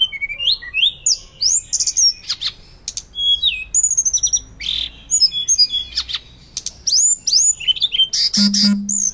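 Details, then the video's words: Hill blue flycatcher singing loudly with fluting notes, for luring and tutoring other birds: fast run of high whistled slurs and chirps, sharp rising and falling strokes, dense phrases with brief pauses, a low steady hum near the end. "Tledekan Gunung Gacor Nyuling Keras Cocok Untuk Pancingan Dan Masteran"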